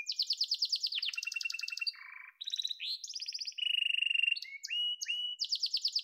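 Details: Song of a yellow pet canary: quick high trills, a brief low nasal buzz, then varied rolling tours and sustained whistled notes, shifting pitch every second or so.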